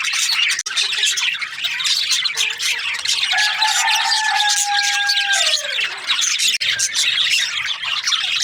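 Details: Australian budgies chatter in high, dense chirps while a steady humming tone enters, holds for a few seconds, then glides down and fades beneath the birds.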